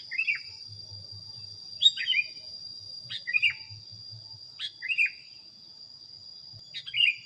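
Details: Sooty-headed bulbul training recording with five quick warbled whistles, each a tumbling note pair, spaced about a second or more apart, over a steady high insect-like tone and soft low rumble.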